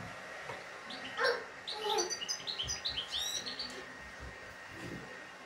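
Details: European goldfinch kept by its owner, in good song of the 'şak şaklı' style: a run of quick, rising, chirpy twitters after a few lower notes, against a humming indoor background with soft knocks.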